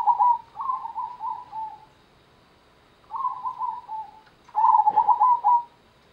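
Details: Local zebra dove (perkutut) singing in the Gendowo Sabdo rhythm style: three mellow, trilled cooing phrases, each about a second long and slightly falling at the end, separated by short pauses, with a quiet background.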